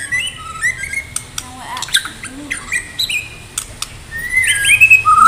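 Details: Medan-type white-rumped shama in full song, ready for a singing contest: varied whistled phrases and harsh squawky notes, with clicks and short rising notes, ending in a louder burst of sharp, warbled whistles.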